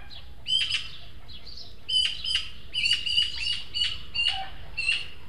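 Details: Juvenile Eurasian magpies, three at a feeder in a garden plot in El Retiro, Madrid, two begging food from a more developed third; harsh, rasping bursts repeated in quick runs, some overlapping, over a steady low hum and a faint background bird chorus.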